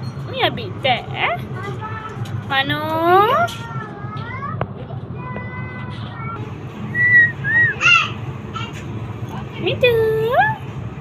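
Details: Pet talking parrot chatting with its owner on a roof: bursts of harmonic, speech-like syllables with rising and falling sweeps and sharp whistled notes, against steady outdoor background noise.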